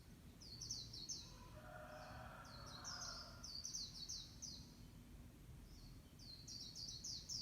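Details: Morning birdsong: bursts of quick, high, sharp chirps in short rapid series with brief pauses between, over low steady background noise and a faint mid-pitched hum early on.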